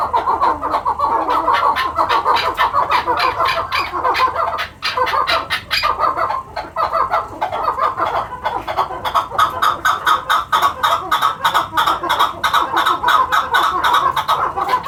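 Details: Chukar partridges on a farm in Quetta, calling loudly in a continuous chorus of fast, repeated harsh chuk notes, building into a steady rhythmic chatter from many birds.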